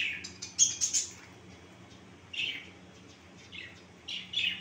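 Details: Pet finches in a breeding setup call with brief high chirps, a quick cluster near the start, then scattered squeaky notes after a pause, with a low background hum.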